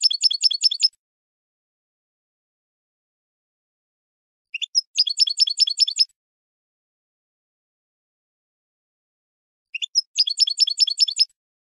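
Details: Spanish goldfinch song from a training recording for cage birds: three short bursts of high, rapid, tinkling twitters, each about a second long and spaced roughly five seconds apart, with silence between.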